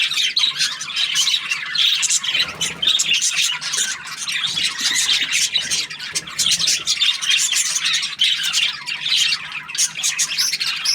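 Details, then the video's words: Happy budgerigar chirping: a dense, unbroken stream of high, scratchy chatter, quick squeaks and warbled squawks, overlapping notes with barely a pause, with no other sounds standing out. "Happy Budgie chirping sounds"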